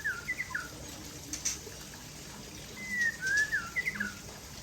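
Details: White-rumped shama, Aceh type, singing while sunbathing: sweet whistled slurs, some rising and some dropping, in two short bursts separated by a pause, over constant background hiss.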